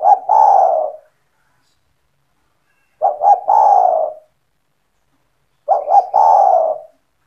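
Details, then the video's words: In 'gacor' form, a kept spotted dove calls to entice other doves: three low, hoarse coo phrases, each opening with two short notes before a longer rolling tone, separated by near three-second silences. "SEMUA TEKUKUR / DERKUKU AKAN TERPIKAT DENGAN SUARA TEKUKUR GACOR INI"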